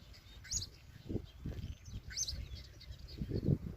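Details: Wild blackbird chicks beg with soft, high, brief downslurred chirps, two main clusters about a second and a half apart, hungry or asking the mother for warmth; low thumping and rustling noise throughout.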